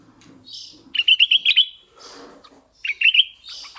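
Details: Decoy red-eyed bulbul singing two lively phrases of rapid, bubbling warbled notes, separated by brief hissy rasps and faint low murmuring.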